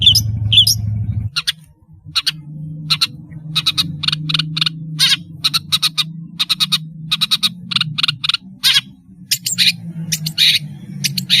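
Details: A long-tailed shrike in busy song repeats short rasping, scratchy notes in irregular clusters, with one or two high slurred whistles at the start, over a soft low hum.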